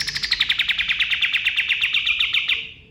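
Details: Male white-eye (kapas tembak), dawn forest recording for training songbirds: a tight series of about twenty sharp pulses sliding gently downward, fading out after two and a half seconds.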